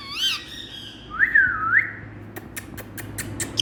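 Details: Caged rose-ringed parakeet, an Indian ringneck kept as a talking pet, giving a harmonic whistled squawk then wavering slurred whistles, followed by sharp clicks and taps in a small room with low hum.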